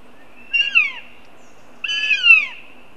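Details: Two long, plaintive calls from northern goshawk fledglings, recorded at their Riga nest site on July 2nd as the three siblings meet up. Each call is a harsh, squealing wail that drops in pitch, with a pause of about a second between them.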